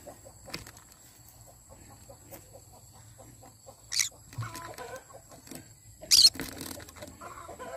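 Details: Morning calls of a yellow-sided conure: two sharp, raspy screeches a couple of seconds apart, surrounded by soft, low chattering and faint rustling.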